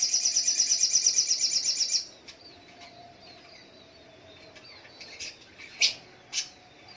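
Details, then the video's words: Spiderhunter in the morning: a fast, even run of high, sharp notes for two seconds, then quiet with a few scattered chirps and clicks. "Suara Burung Sogok ontong di pagi hari"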